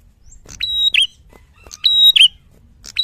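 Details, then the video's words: Red-headed tit singing loudly in the fighter style, clear training recording: a sharp high note, then a steady high whistle and a quick downslurred note, twice, with a third phrase starting at the end. "Prenjak Kepala Merah Gacor Fighter Lantang"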